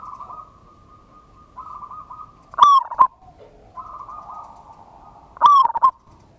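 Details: Zebra dove lure call for provoking responses: steady humming coos interrupted twice by a loud, gravelly rolling note that dips in pitch, about three seconds apart.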